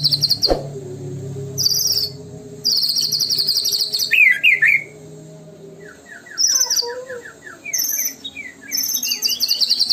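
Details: Murai batu, or white-rumped shama, singing a lure song in gacor style: high rapid trilled bursts separated by pauses, a few sharp zigzag whistles, and a stepped run of clipped notes with faint hum beneath.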